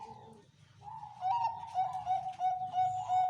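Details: Perkutut, the zebra dove, in slow 'anggungan pelan' cooing: a short soft note, a pause, then a long run of even, throbbing mid-pitched coos pulsing several times a second, with a faint low hum underneath.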